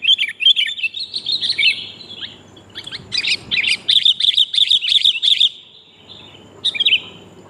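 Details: Lure recording of a female sooty-headed bulbul calling a male: a busy warbling twitter at first, then a steady series of sharp, high chirps in quick succession, ending with one lone chirp.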